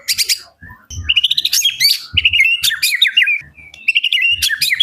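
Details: Energetic white-rumped shama singing, meant to provoke other shamas: fast chattering, chirpy notes and trills mixed with harsh scratchy bursts, delivered in dense, varied phrases.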